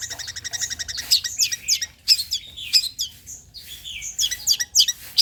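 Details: Long-tailed shrike singing, played as a lure to set other shrikes singing: opens with a grating, rattling trill, then jumbled scratchy notes, quick upslurred whistles and sharp chips in a restless, constantly shifting sequence.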